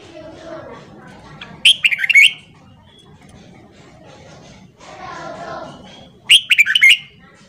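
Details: Red-whiskered bulbul singing its morning song, meant for training newly caught birds: two loud, rapid warbled whistle phrases about four and a half seconds apart, with quieter chatter between them.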